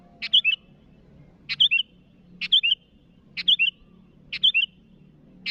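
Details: Sooty-headed bulbul calling to rivals, giving a crisp click and two liquid downslurred notes in quick succession, the phrase repeated five times at roughly one-second intervals; soft low background rumble.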